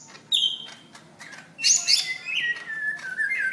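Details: May 2016 recording of a greater green leafbird's fighting call, meant for training other birds to sing: a high squeaky note, a pause, then a burst of harsh notes sliding into clear descending whistles.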